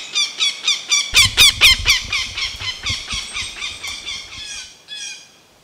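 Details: An adult Northern Goshawk defending its nest, with two hungry juveniles inside, gives a loud, harsh, ringing kek-kek-kek, about a dozen notes at two per second, each dropping slightly, with some low thumping early on.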